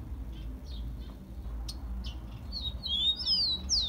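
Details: Rufous-collared sparrow (tico-tico) song used as a warm-up track for captive birds: soft scattered chips, then a clear high rising whistle followed by loud, sharply descending slurred whistles over a low steady hum.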